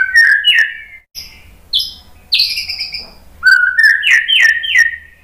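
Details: A white-rumped shama singing, used to trigger other shamas into song. Loud whistled slurs and high clear notes open, followed after a pause by a quick run of rising, repeated whistles with sharp clicks.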